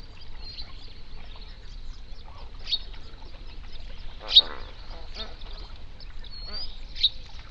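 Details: Wild flamingos, part of a flock of hundreds on a national park lake in the Overberg region of South Africa, recorded binaurally around sunrise; scattered honking and nasal calls rise over a steady background hum, with other waterbirds also present.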